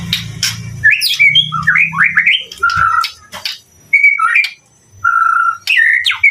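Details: White-rumped shama song of varied looping whistles, some swooping up and down and others held flat, separated by short gaps, with a low hum early on.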